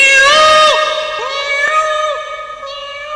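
A peacock gives loud, nasal, cat-like wailing calls, each sustained note bending downward at its end, repeated three or four times.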